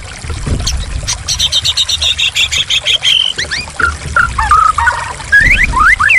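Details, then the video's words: White-rumped shama song set to flowing water for bird therapy: a rapid rattling series of notes, then varied whistled phrases and upslurred notes, all over a constant background of running, trickling water. "Terapi Burung Murai Macet lengkap dengan gemricik air"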